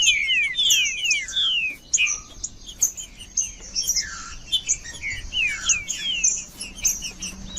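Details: Green-winged saltator song, aimed at coaxing a non-singing bird: opening bursts of quick descending whistles, then sparser slurred notes and steady high-pitched chipping behind them.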